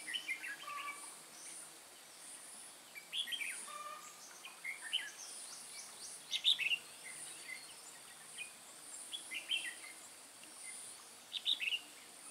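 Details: Red-whiskered bulbul from Hòa Bình, a decoy bird used for trapping, recorded 10 May 2017: faint, scattered warbled phrases of quick chirpy notes, some rising, spaced irregularly over steady background hiss.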